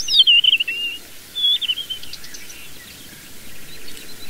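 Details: A desert wheatear (Oenanthe deserti) call: two high, thin whistled phrases sliding downward, the first about a second long and the second shorter, over a faint steady hiss.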